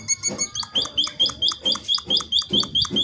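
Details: Munia calling, used as a lure to get other munias answering: short high chirps repeated about twice a second, each with a sharp upward flick, over a low rumbling background.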